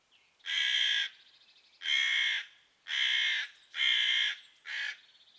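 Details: Crows angrily scolding a female pine marten intruding in their patch, dropping broken twigs on her from the tree above; five loud raucous caws roughly once a second, the last shorter, with faint rattling notes between them.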